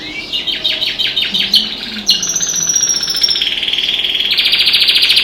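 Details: Pet canary singing indoors with other birds outside the window: a run of rapid repeated sweeping notes, a high sustained whistle, then a long, fast, buzzy trill that grows louder toward the end.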